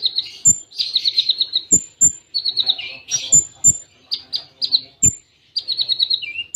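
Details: Full Cililin-style tembaan from a konin, a training song kept by bird-song hobbyists: quick rattling trills alternate with thin high whistled notes and dropping chirps, broken by dull low knocks.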